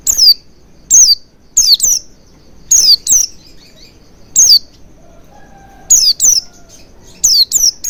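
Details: Oriental white-eye calls played to encourage a bird to sing with beak wide open: high, piercing descending tsee notes, often doubled or tripled in quick succession, separated by short silences.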